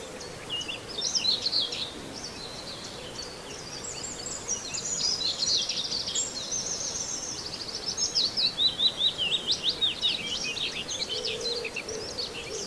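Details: Common whitethroat near Wells-next-the-Sea giving scratchy, jumbled high warbles in several bursts, ending in a quick run of rapid repeated notes, amid faint background hum and other distant bird sounds.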